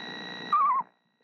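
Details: Screech owl mother on her eggs in March sings one sweet, quavering, descending trill lasting about a third of a second, preceded by a low hum that then falls quiet.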